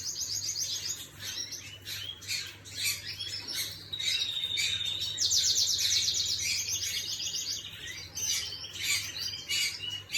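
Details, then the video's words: Canary in full song, recorded 11/5/25: varied high chirps, then a loud, fast metallic trill in the middle, followed by more twittering phrases. Steady low hum throughout. "Chim Hồng Yến hót"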